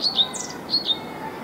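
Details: European pied flycatcher singing in May at Viertola, Vantaa, Finland, recorded 6 May 2012: two paired high whistled notes, each a clear tone followed by a lower slurred note, sweet and bright.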